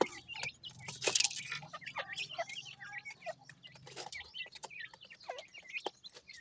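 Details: Feeding grey francolin chicks peep continuously in short high slurred notes, some dipping then rising, with a low hum and intermittent clicks and rattles of food and feet.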